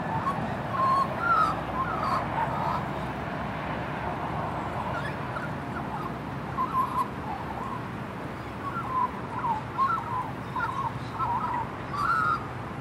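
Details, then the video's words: Juvenile female magpie singing while happy: soft, scattered warbled and whistled notes in short bursts, clustering early and again toward the end, over a steady broadband hiss. "Magpie Sings a Thank You Song"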